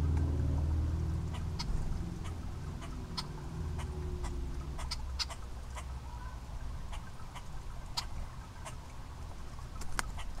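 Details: Common starling (Sturnus vulgaris) fledgling, still learning to feed itself, gives harsh raspy begging chirps several times a second at a Common Grackle holding worms, over a steady low rumble of wind or distant traffic.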